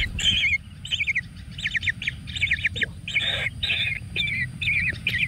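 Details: Chicks of a kingfisher in a natural nest while being given frogs: rapid chattering series of sharp, slurred high notes in close clusters, fairly even in loudness, low hum beneath.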